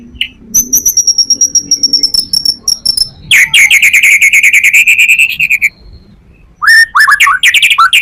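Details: White-rumped shama song as a lure for other shamas: a thin high trill, then a loud rattling pulsed trill, then a few sharp rising whistles.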